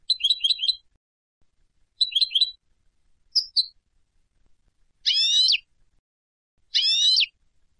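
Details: A Turkish European goldfinch singing in Istanbul: short bursts of high, rapid tinkling twitters, then two drawn-out nasal buzzy notes, against a silent background.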